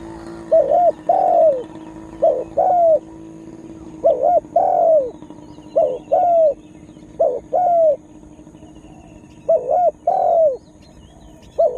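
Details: Spotted dove acting as a lure to draw wild birds; rhythmic phrases repeated about every one and a half seconds, each a short doubled coo followed by a drawn-out falling coo, over a steady low hum.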